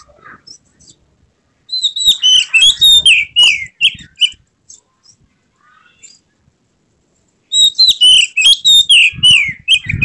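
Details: White-rumped shama in emotional display, tail spread, delivering two loud bursts of fast varied whistles and downslurred notes separated by a quiet pause, with some low thumping noises during the second burst.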